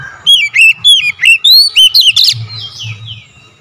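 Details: Kacer, the oriental magpie-robin, singing as a provoking lure: a rapid run of loud, clear whistles, each note sliding down then up, about four per second, ending in a burst and soft fading twitters.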